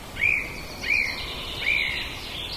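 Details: Common blackbird (Turdus merula) in a back yard, Zoom H2n portable recorder: three clear whistled notes, each sliding up and then holding, spaced about 0.7 seconds apart against background noise.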